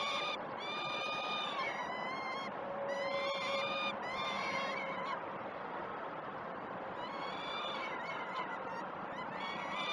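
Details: Peregrine falcon nestlings begging during one of the first two feeds at Great Spirit Bluff, 12 June 2018, live camera; repeated harsh harmonic wails in clusters, a quieter middle section, then renewed screaming.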